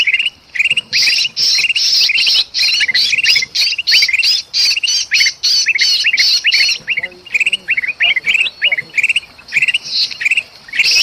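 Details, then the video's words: Golden bulbul uproar with a trapped bulbul, Sumatran forest, used for luring birds: steady harsh rasping bursts with chirps, several a second, easing after seven seconds into sparser rising chirps. "suara kutilang emas ribut sama kutilang kejepit paling ampuh pikat burung"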